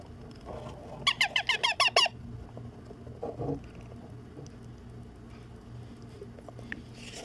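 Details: Young Indian ringneck parakeet being fed indoors, giving a fast run of about seven scratchy, pulsing squawks. Low room hum and faint background noises follow.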